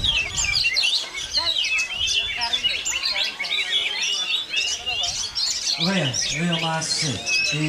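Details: An oriental magpie-robin keeps singing in strong wind, giving a fast, unbroken run of high, varied chirps and whistles; a man's voice briefly breaks in near the end.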